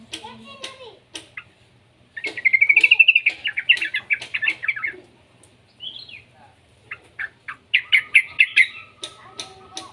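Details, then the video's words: Juvenile yellow-vented bulbul played to prompt other bulbuls to sing; scattered short chirps, then a rapid rolling run of buzzy notes, a pause, and another quick chattering burst near the end. "suara burung trucukan muda"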